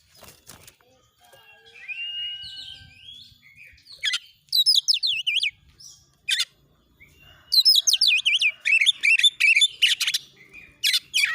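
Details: Oriental magpie-robin song used as training material for other birds: loud, rapid zigzagging whistled phrases in fast bursts, separated by pauses and faint background chatter.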